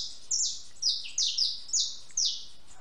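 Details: House sparrow eating and drinking water at a backyard feeder: five sharp, high, downward-sliding chirps spaced about half a second apart, over quiet background.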